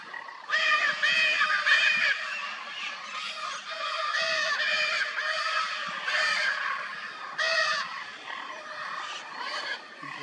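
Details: Lear's macaws in Brazil, a wild pair mating: loud, hoarse, honking squawks repeated in rough bursts several times a second, swelling and easing over ten seconds.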